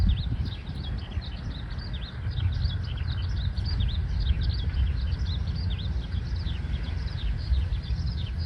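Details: Eurasian skylark singing in a neighbourhood park on 20 May 2026, during breeding season when males sing while hovering; a continuous, high, rapid warble of chirps and trills over steady low wind rumble, with great tit "tsupi-tsupi" calls also present.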